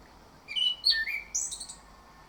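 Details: Morning lure phrase from an orange-headed thrush, used to make birds sing steadily: a quick run of varied whistled notes, some slurred downward, ending in high sharp whistles over quiet background hiss.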